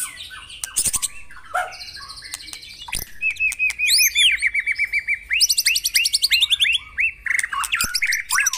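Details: Morning song of the White-rumped shama, used to push caged birds to sing: scratchy notes and clicks open into a long run of fast repeated rising whistles, several per second, ending in bright chattering phrases.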